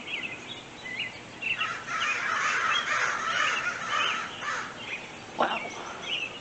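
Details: On a foggy February day, a much larger than usual crow flock flies past overhead without stopping, with harsh overlapping caws in a steady jumble; robins and a magpie are about, and a person laughs and talks.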